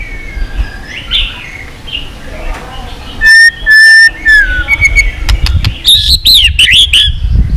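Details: White-rumped shama in intense competition-style song, used to spur weaker birds into singing and to train their voices: scattered whistles, then loud clipped tones and a burst of fast, twisting high notes at the end.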